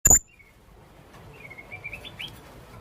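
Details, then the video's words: Young blue-crowned hanging parrot calling, used as a lure recording: one loud, sharp, very high piercing note at the start, followed by a few faint thin whistled notes that rise slightly, over a quiet low background hiss. "burung serindit muda rintik suara memanggil"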